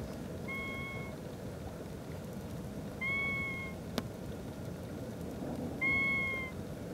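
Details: A great grebe at Jaguaruna, December 2011, gives three drawn-out, even, nasal wailing notes, almost cat-like, about every three seconds over steady wind and water noise, with one sharp click.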